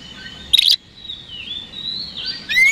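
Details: Oriental magpie-robin singing to provoke rivals into responding: a brief loud burst, then a long, thin whistle that wavers and slides slowly upward, ending in a sharp rising note.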